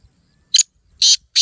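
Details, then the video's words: Black francolin, a hand-tamed pet bird from Pakistan, gives three loud harsh grating notes in quick succession, each broadband and buzzy, the last two longer, with near silence between. "Kala teetar"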